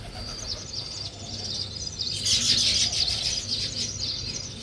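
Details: Weaver birds chirping while building a nest: a dense run of high, thin chirps that swells into a busy burst midway, with a steady low hum underneath.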